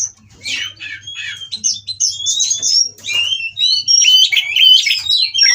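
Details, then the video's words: White-rumped shama, a captive-bred bird, singing during mating to provoke rivals into song; loud, varied whistles, rising sweeps and chattering notes in rapid succession, with faint low hum beneath. "Burung Kacer Kawin Merangsang Lawan Untuk Bunyi dan Lebih Gacor"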